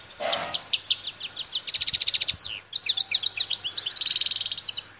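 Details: Continuous song of a wild Algerian European goldfinch, parva form, from Bouthelja in El Tarf: rhythmic, slurred chirps build into fast metallic trills and a rapid rolling buzz.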